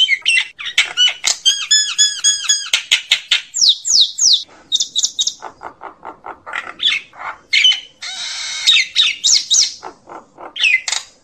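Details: Common myna calling the flock with rapid, varied chatter: quick clicks and sharp ticking notes, short bursts of bubbly whistles, harsh grating squawks and falling whistled slurs, tumbling on without pause for about eleven seconds.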